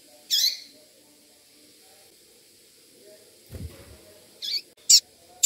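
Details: Female double-collared seedeater calling to stimulate a male of the tui-tui song style; short, bright, high chirps, one early, then a cluster of three sharp notes near the end, with faint low thumps between.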